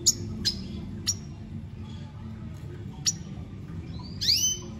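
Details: Red siskin in full song: a series of sharp, very high clicking chips spaced about half a second to two seconds apart, ending in a longer rising whistled phrase, with low background hum.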